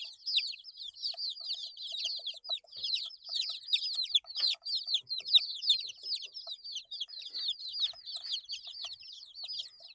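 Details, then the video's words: Nearly ten seconds of nonstop peeping from 8-day-old baby chicks, a thick overlapping chorus of short high descending chirps with occasional faint taps in the background. "Chicks Chirping Sounds - Baby Chicken Sounds"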